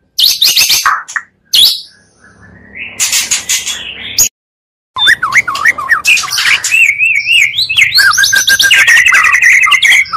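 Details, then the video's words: Excitement-raising magpie-robin lure: harsh chattering bursts and a short silence, followed by looping wavy whistles and fast high trills repeated several times a second. "pancingan murai 2 kali lebih menaikkan emosi muarai."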